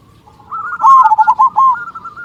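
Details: Local zebra dove, a lively singer with a big 'kung' voice, used to coax doves to sing: a single loud, rolling trilled coo phrase of several rapid notes that tails off into softer notes.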